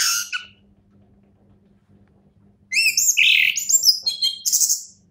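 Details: Brief high chirp, a pause of two seconds, then the champion orange-headed thrush pours out a dense, fast phrase of varied whistles, trills and thin high notes.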